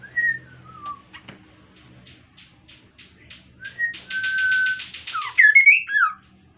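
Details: Kaso-kaso bird, an insect-eating species, singing energetically, used as a lure to set other birds singing: clear whistles sliding down, a long level whistle, then twisting rising-falling notes, over a fast buzzy pulsing series and low background hum.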